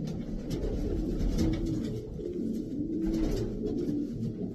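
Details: Several racing pigeons give low, drawn-out coos that rise and fall, repeated and overlapping, with soft fluttering noises.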